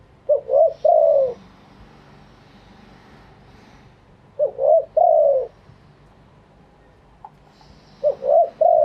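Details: Live cooing of a spotted dove with wild-style phrasing. Three evenly spaced mellow phrases each give a quick double note, then a longer, slightly wavering coo, with quiet pauses between them.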